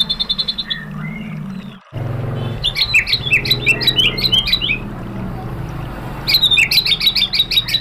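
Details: White-rumped shama song used as provocation material: a quick trill and a low slurred note, a cut, then a jumbled run of varied sharp high notes and a dense chattering burst over steady low noise.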